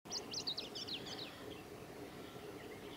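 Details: A male chestnut-eared bunting sings at Yashima-ga-hara wetland on 15 July 2018: one quick, scratchy phrase of high chipping notes lasting about a second, then fainter notes, over a steady low rumble.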